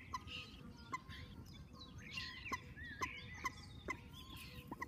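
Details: Common moorhen chicks calling with clipped, high peeping notes, roughly two per second, some overlapping, against a steady low hum and scattered chirps of other birds.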